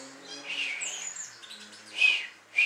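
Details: A Great Tit at Taberqment, recorded in 2011, gives a few short, high, chattering call notes, with a brief thin whistle early on and two sharper chips near the end.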